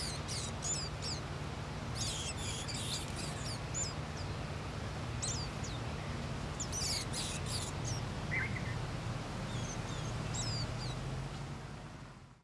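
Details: Older warbling white-eye nestlings in a wild nest give thin, very high chirps in quick scattered bursts, begging as an adult arrives to feed them, over a steady low rumble.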